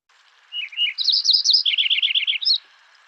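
Lincoln's Sparrow singing a two-second bubbly song: a few sweet opening notes, a rapid high gurgling trill, then a lower rolling trill ending on a brief high note.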